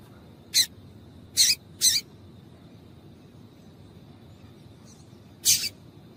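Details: Female yellow-bellied seedeater calling to stimulate males: four short, sharp, noisy chips, three spaced about half a second apart early on, then one after a long pause, over a faint steady high whine.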